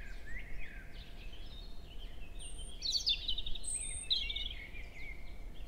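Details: European robin singing in woodland at Hoher Peißenberg, early May, 7 a.m., a female nearby trading contact calls with the male; thin, high whistled phrases and fine warbling, with a brighter sparkling burst midway and steady low background rumble.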